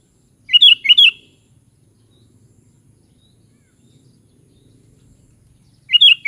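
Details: ['Sooty-headed bulbul repeating a brisk pair of bubbly, slurred whistled notes, silent for about five seconds apart from faint low rumble, then starting the same phrase again.']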